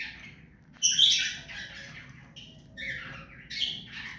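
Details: Tame ring-neck parrot letting out a loud rasping screech followed by softer, wavering chattering notes and a final harsh squawk.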